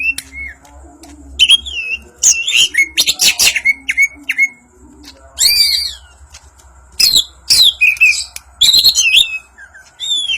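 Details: Banyuwangi greater green leafbird performing ngentrok njambul song, alternating short falling whistles with loud harsh chattering bursts and scratchy trills, phrases separated by brief pauses.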